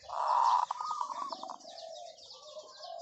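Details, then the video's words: Decoy zebra dove in a long call: a strong purring roll that fades into a softer drawn-out coo, faint chirps of other birds above. "เสียงนกเขาชวาต่อ ออดยาวๆ"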